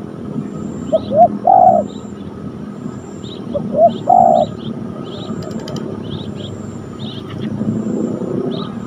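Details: Spotted dove cooing on the ground during training of a young decoy bird, with a fierce wild spotted dove met at the site; two phrases of short rising notes ending in a longer, fuller coo, with faint high chirps of other birds.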